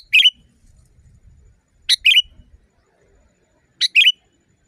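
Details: Sooty-headed bulbul singing loudly in a natural setting, recorded as training material for caged birds; three bursts of short, bubbly chirped notes near two to four kilohertz pitch, spaced about two seconds apart, with faint low rumble.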